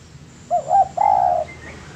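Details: Master recording of a spotted dove for bird training: one full phrase, a wobbling, looping hoot sliding into a sustained, slightly trembling low coo, with a faint high whistle afterward.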